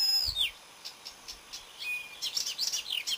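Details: Marsh warbler singing on 30 May 2010, a quick, varied jumble of high chirps, a clear whistled slur and scratchy trills, several notes a second.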